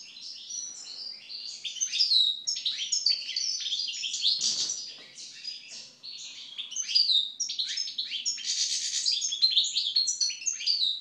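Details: European goldfinch (Carduelis carduelis) singing after its moult: a fast, continuous twittering of bright chirps, trills and short buzzy notes, high and tumbling, with a brief pause near the middle before the jangling phrases resume.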